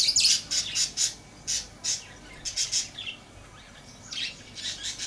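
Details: Shrill, rasping lovebird chirps in a busy, uneven series, many short bursts close together, some slightly longer notes after a brief lull, with a steady faint hiss behind.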